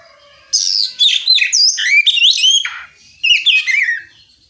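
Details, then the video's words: Oriental magpie-robin song meant to provoke other magpie-robins into singing back; loud, varied whistled and trilled phrases with sharp upward and downward slides, two long bursts separated by a brief pause. "Suara kicau kacer ngeplong memancing kacer apasaja ikut bunyi nyaut ngeplong gacor!"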